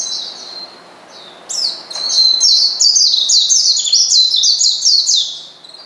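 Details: Oriental white-eye provoking a rival: a couple of thin, high whistled notes, then a sudden sustained stream of quick, bright, descending chirps lasting about four seconds.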